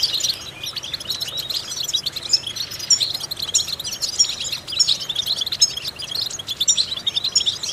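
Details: Goldfinch singing, used as a vocal exercise for training other goldfinches: a continuous bright, high twitter of quick chirps and metallic notes, busy and unbroken throughout, over low steady noise.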